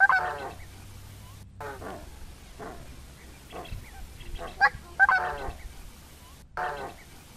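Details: Song of a Coscoroba swan: several loud, nasal trumpeting honks, some doubled, separated by pauses of about a second. There are brief dropouts, and a faint low hum sits under the calls.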